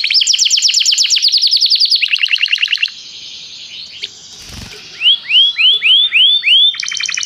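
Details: Canary song used in training, the bird calling a friend to sing: fast buzzy trills in changing tours, a quiet gap with a brief noise, then a series of rising upslurred whistles and a closing trill.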